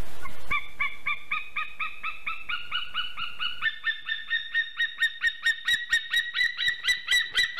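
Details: White-tailed eagle male in Slītere National Park, Latvia, singing to the female around mating on 24 September 2020, 4:44 pm: a long series of yelping, harmonic notes, slower at first, then speeding into rapid sharp repeated yelps.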